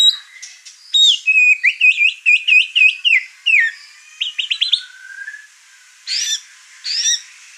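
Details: White-rumped shama, over-excited, singing a varied run of whistled and chattering phrases: a quick series of repeated rising notes, then sliding whistles, ending with two short buzzy bursts after a pause.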